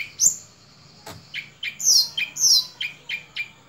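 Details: Sunda robin giving a series of short, sharp whistled notes, some sliding down from very high, others lower clipped chirps, spaced unevenly over a few seconds.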